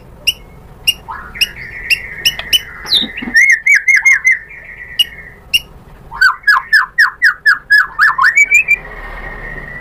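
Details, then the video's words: White-rumped shama lure song meant to make birds answer: sharp clicks, then two long series of fast, ringing repeated whistles with a steady tone, separated by a brief gap. "PANCINGAN MURAI BATU biar EMOSI NYAUT jadi GACOR BONGKAR ISIAN | SHAMA BIRD"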